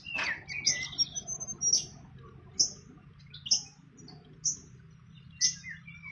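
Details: A fantail in the wild at its nest gives a sharp call, then thin high chirps repeated roughly once a second over a low background hum.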